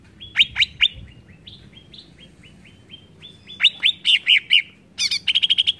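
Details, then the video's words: Greater green leafbird song used to provoke rival birds: a few sharp notes, a string of soft level whistles, then loud down-slurred whistles and a fast buzzy trill at the end. "BIKIN CUCAK IJO MANAPUN TERPANCING EMOSI"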